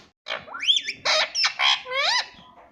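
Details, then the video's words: Pet rose-ringed parakeet voicing its "mummy papa" talk: a quick sequence of harsh broadband syllables and swooping tones, ending in an upward-curving harmonic note. "mummy papa bolne wala mitthu"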